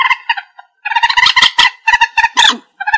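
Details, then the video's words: Common moorhen (Gallinula chloropus), in a recording used as a trapping lure, gives loud, harsh, stuttering chatter in quick bursts of nasal, clucking notes, separated by short pauses. "Tiếng chim Trích Ré(Kịch) | The sound of the bird Gallinula chloropus"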